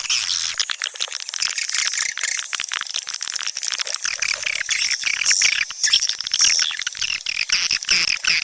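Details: A swiftlet lure sound from 2022 for swiftlet houses: swiftlets chatter in a dense, continuous chorus of high, dry chirps and rapid clicking twitters, overlapping without pause.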